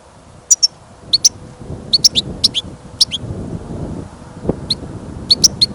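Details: Caged European goldfinch outdoors in snowfall and wind gives spaced, bright two-part chirps, roughly every half second in short clusters, over a low wind rumble.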